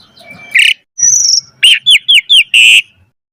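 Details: Brief burst of Asian pied starling song used as a singing lure: a harsh note, a level high whistle, four quick falling whistled notes in a row, and a closing rasping call.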